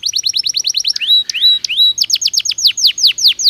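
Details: Belgian canary in full song for training: a quick series of falling whistles, then three slower rising-falling slurred whistles, followed by a spaced run of bright descending notes about three per second.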